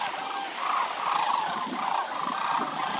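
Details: Migratory sandhill cranes wintering at the Willcox Playa Wildlife Area, part of a gathering of more than 20,000 birds; a dense chorus of rolling, trumpeting calls overlapping continuously, with brighter bursts surging every half second or so.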